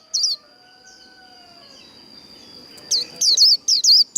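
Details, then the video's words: Japanese white-eye, líu đấu song: one high downslurred note, then near-silence with a faint steady high tone, before a closing run of four rapid, bright, falling chirps. "Vành khuyên líu đấu"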